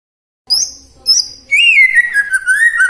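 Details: Morning lure song of a white-rumped shama aimed at silent shamas: two high thin whistles followed by a warbled, wavering phrase of clear notes.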